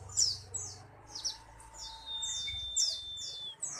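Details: White-eye song of quick, high, downward-slurred chirps repeated about every half second, with a long, flat, thin tone held in the background.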